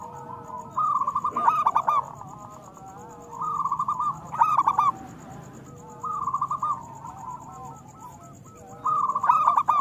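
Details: Local zebra dove song meant as a master recording for moulting doves: four separate bursts of rapid, bubbling, stuttered coos spaced about two to three seconds apart, with quiet gaps between.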